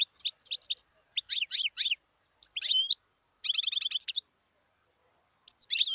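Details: Wild European goldfinch song: groups of bright chirps, a buzzy twittered phrase, then a fast rattling trill of even repeated notes, followed by a pause and more tinkling twitters.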